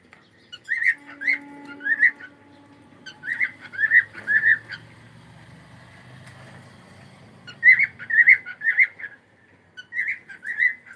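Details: Pet cockatiel giving bursts of short, bright whistled chirps in groups of two to four, with a quiet pause in the middle and a faint low tone beneath.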